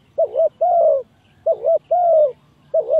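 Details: Lure call of a spotted dove for trapping: two full low phrases of a brief doubled coo and a drawn, downward-curving coo, with a third phrase beginning at the end; no other sounds.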